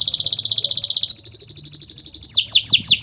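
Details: Canary master song to encourage non-singing canaries: a fast pulsing buzzy trill, then a thin high sustained roll, ending with several sharp falling whistled notes.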